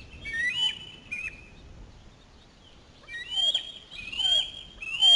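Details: Osprey chick near the nest during a fish delivery, giving fainter, more distant whistled screams with upward slurs, in a few scattered bursts over soft background noise.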